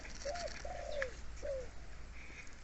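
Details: A wild, deep-voiced Spotted Dove calls near a hunter's decoy on a mountain forest trip in Tak province, Thailand. It gives three low, mellow coos, the middle one longest and each sliding slightly down, over quiet forest background.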